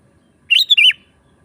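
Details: Sooty-headed bulbul, a lively calling bird used to lure wild birds and tutor caged ones; one short bubbly phrase of three linked notes, a rising whistle then a wavering dip, clear and loud over a quiet background.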